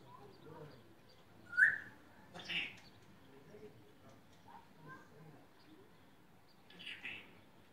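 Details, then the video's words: Grey parrot talking nonsense while entertaining people on a farm: a few loud, sharp whistled notes and a harsh squawk stand out from quieter, murmuring chatter between them. "Graupapagei Coco erzählt Quatsch"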